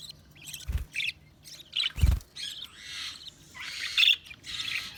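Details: Budgie chirping: scratchy, raspy chirps and warbles that grow busier toward the end, with two low dull thumps early on.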